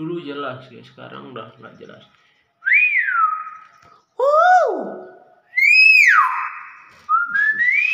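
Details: A talking common hill myna: mumbled speech-like sounds, then loud, clear whistles that rise and fall, with a final rising whistle in two steps. The setting is a small room.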